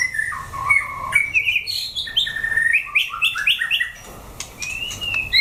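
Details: A caged white-rumped shama sings strongly during a fighting test. It delivers a rapid string of bright, bouncing whistled notes that rise and fall, then drawn-out high whistles after a short pause.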